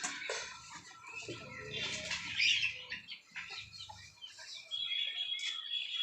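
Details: Two male turkeys on a free-range farm in India, a newly introduced white-legged tom and an old black tom, fight with bursts of heavy wing flapping and scuffling while a man talks in the background.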